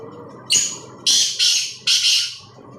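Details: Rasping black francolin call of four loud, coarse notes: one brief opening note, then a closely spaced pair and a last drawn-out grating burst, over a low background hum.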